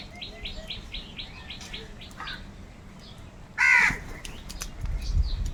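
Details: Crows feeding together and fighting over food: one short, loud, harsh caw halfway through, after a run of quick repeated high chirps from other birds, with low rumbling noise at the end.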